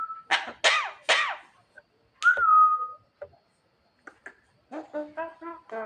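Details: Javan myna at night calling its mate: three loud harsh rasping notes, a drawn-out falling whistle, then a run of short stacked nasal notes after a pause.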